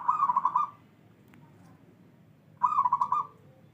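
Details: Zebra dove of the wild local type, katurangan 'bedah karang': two mellow trilled cooing phrases, each a quick run of beaded notes lasting under a second, separated by about two seconds of quiet background hum.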